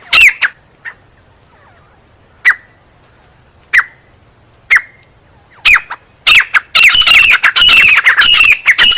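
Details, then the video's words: Grey francolin, known as teetar, calling with sharp single squawks spaced irregularly, building into a dense, loud run of rough repeated harsh notes at the end; otherwise quiet surroundings. "Teetar Ki Awaz"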